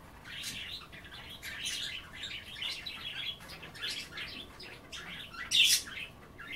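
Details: Indoor budgerigars, given kale and water to bathe in, keep up a continuous busy chatter of buzzy warbles and twittering chirps, one sharper loud squeak near the end.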